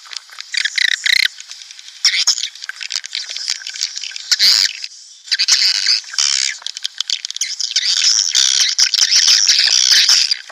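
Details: Lure recording for drawing swiftlet colonies into a nest house: very busy high twittering, squawks and rapid clicking, with loud broadband snaps and a sustained dense chorus toward the end.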